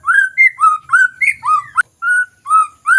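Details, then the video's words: ['Lure song of the white-rumped shama for birds reluctant to sing. Rich, fluty whistles of varying pitch, some swooping down and others rising, delivered in rapid succession with one sharp click.'] "Pancingan MURAI BATU Bahan Malas Bunyi Paling Cepat direspon"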